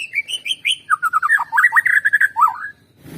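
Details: White-rumped shama, played to prompt birds to sing, pours out a continuous run of quick whistled notes that step down from high clear tones into a rapid, warbling, slurred sequence.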